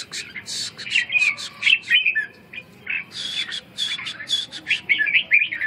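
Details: Red-whiskered bulbul song: short warbled, bubbly phrases with quick pitch jumps, delivered in bursts separated by brief gaps, over a steady low background hum.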